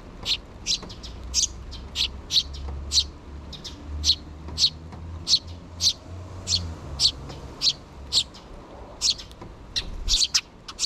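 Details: Two sparrow nestlings not yet fledged beg their parent birds for food in June 2023; a long run of sharp, high chirps repeated roughly twice a second, with low rumbling noise in the background.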